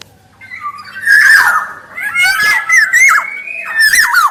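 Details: Kepodang emas, the black-naped oriole, singing strongly as a lure and tutor voice: continuous mix of harsh rasping calls and fluty whistles that swoop down sharply, several phrases in quick succession.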